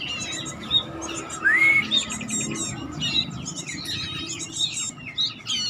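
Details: Home-kept Bar-winged prinia of the batik type, a bird being trained toward steady singing, giving rapid high chirps and trills with one clear rising whistle, over a low background hum.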